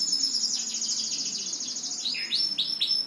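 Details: Bird delivering a long, high, rapidly pulsed trill, then several quick down-slurred whistles in close succession.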